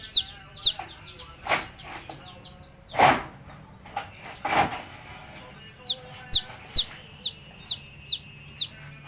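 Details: Baby chicks peeping with sharp falling whistled notes, interrupted early by a few loud rustling thumps, then a steadier run of single peeps about twice a second.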